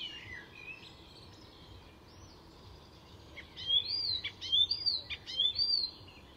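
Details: Master mimic Icterine Warbler singing at Fysingen, a reserve north of Stockholm in Sweden: soft scattered notes give way to a run of bright, high slurred whistles and sharp clicks in the second half.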